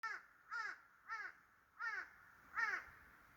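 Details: Crow calling from the top of a tree, a hoarse snore-like sound: five short rasping notes spaced roughly half a second apart, each with stacked harmonics, in a quiet setting.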